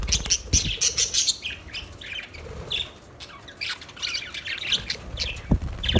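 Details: Budgerigars squawking and chattering: rapid, high, harsh chirps and warbles in tight runs, a few sharp clicks among them.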